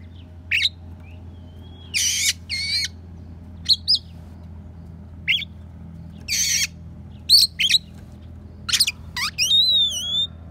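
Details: Oriental magpie-robin song full of imitated sparrow and prinia notes for training songbirds; scattered sharp chirps and rasping buzzy bursts, ending in a rising, wavering whistled phrase, over a faint steady hum.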